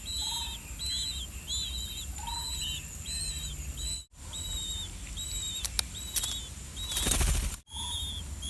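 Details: Two older Blue-winged pitta chicks in the nest, calling while waiting for their parents to bring earthworms: thin, high arched notes repeated about every half second, with occasional lower notes, brief rustles and a loud scuffle near the end.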